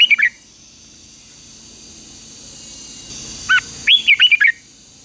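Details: Red-whiskered bulbul's morning training song, a competitive fighting song used to stir wild-caught birds into singing: one brief slurred note opens, then after a pause a burst of five quick warbled, up-and-down whistled notes. A faint steady high tone runs beneath.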